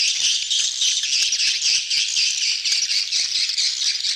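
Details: Swiftlet crowd in breeding excitement, betompok lure sound: rapid rattling chatter of high chirps, about two pulses a second within a constant busy chorus.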